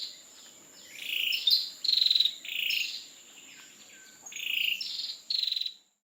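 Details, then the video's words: In Singapore, an Ashy tailorbird gives an unusual call unlike its usual ones, a run of high, buzzy trilled bursts, about five in six seconds, over a steady thin insect whine. "ASHY TAILORBIRD Not Sounding like TAILORBIRD!"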